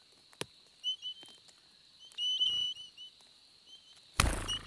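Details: Nesting Spotted pardalotes in the Capertee Valley during summer, giving soft whistled double notes amid faint rustles and taps, ending in a loud burst of noise.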